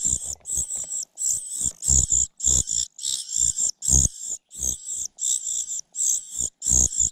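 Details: Common cuckoo chick begging from its foster mother after repeatedly failing to snatch food; rhythmic loud, hissing high calls about every third of a second, with distinct low thumps from movement.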